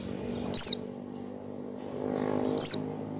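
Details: Two isolated, loud, thin whistles falling steeply in pitch, about two seconds apart, from an oriental white-eye calling ngecal-style while learning ngalas, meant to make other white-eyes open their beaks, over a quiet low hum.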